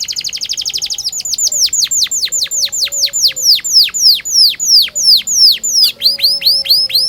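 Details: Canary song meant to train young birds: an opening very fast high trill, followed by a steady run of loud, sharply descending whistled chirps, roughly three per second.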